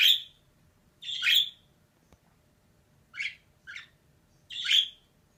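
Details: Calls of a female budgerigar, a series of scratchy, squawky chirps, some paired closely, others spaced a second or more apart, with a faint low hum underneath.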